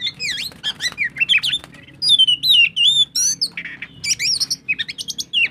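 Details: Loud, continuous ngobra song of an Oriental magpie-robin, used as a lure for other birds: rapid bursts of high, sharply slurred whistles and trilled notes, packed closely, with a steady low background hum.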